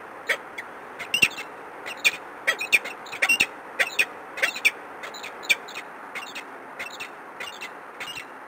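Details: Peregrine falcon on the Warsaw Palace of Culture and Science, recorded 13 March 2015 around 11:33: quick, harsh, clipped calls repeated irregularly in bursts over a constant hiss.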